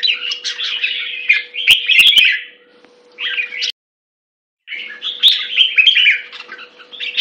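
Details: A red-whiskered bulbul delivers fast, chattering whistled phrases, breaks off into a second of silence, then resumes its lively warble; a few sharp clicks and a low hum.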